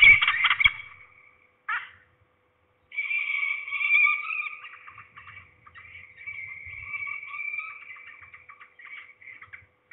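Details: At least two falcons calling at Trzebież, Poland, on 2 September 2019 in mid-afternoon, one closer and below, possibly a young bird or a parent: harsh burst, short break, then long drawn-out whining calls fading gradually.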